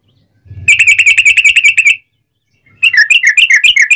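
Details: Sooty-headed bulbul song played to goad other bulbuls into singing: a fast even trill of sharp bright notes for over a second, silence, then a looser run of dipping whistled notes.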